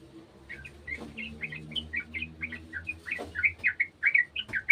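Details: Garden sooty-headed bulbul joining in with an untrained bird: a steady series of short, bubbly, slurred whistled notes, growing louder and quicker toward the end, with a faint low hum beneath.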